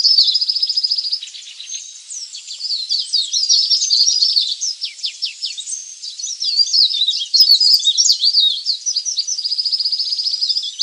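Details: Leaf warbler sounds used as a lure for wild birds: a long unbroken stream of high, sibilant twitters. Fast trills and sharp downward flicks alternate with short steady buzzy phrases, loud throughout, with no background noise.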